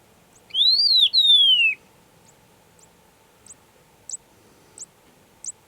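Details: Agulhas long-billed lark singing in the Overberg region, its only range: two long, drawn-out whistles, the first rising then falling, the second sliding steadily down, followed by a few soft high ticks.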